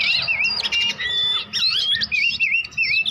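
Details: Young magpie-robin practising song as it starts to learn: continuous varied warbling of high whistled notes, quick slurs and short trills in dense phrases with brief pauses, a faint low hum underneath.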